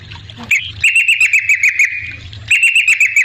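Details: Yellow-vented bulbul song used as a lure to make other bulbuls respond: fast runs of bright, bubbly chattering notes repeated several times a second in two bursts, after a short harsh opening note, with a faint low hum beneath.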